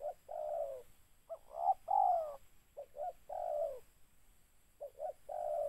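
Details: Spotted dove (tekukur) recorded while birds were being caught with a decoy: throaty cooing phrases of quick double notes that run into longer sliding coos, repeating about every two seconds.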